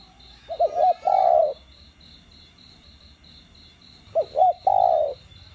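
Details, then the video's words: Spotted dove song in the 'đồng gù + thúc' style, used to stimulate caged trainee doves. Two phrases about three seconds apart: short bouncing hooted notes, then a long mellow coo, with a rapid ticking buzz in the background. "Cu gáy GIỌNG CHUẨN ĐỒNG GÙ + THÚC kích mồi tập bổi căng lửa. tiếng cu đất gáy"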